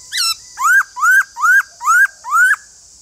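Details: White-cheeked laughingthrush singing a run of five loud, clear whistled notes, each rising then dropping sharply, repeated about twice a second after a short higher opening note, over a steady high hiss.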